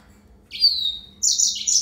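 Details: Yellow-fronted canary singing: a thin, high whistle that slides downward, then after a short pause a bright, buzzy trill at very high pitch. The room is otherwise quiet.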